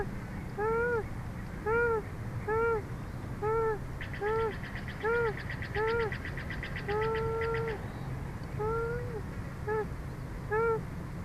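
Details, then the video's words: A female bald eagle at Big Bear, beside her panting mate on a hot day, gives a series of short, arched whistled notes, about one a second, some drawn out, with a dry chattering rattle midway over low hum. "Sandy Making Adorable Noises"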